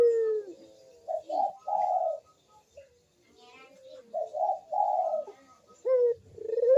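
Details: 'Kuk deruk' cooing of a Barbary dove, used to stir doves that are reluctant to call: a low purring coo, then clipped rising notes and a long, hoarse note. The phrase is repeated after a quiet gap.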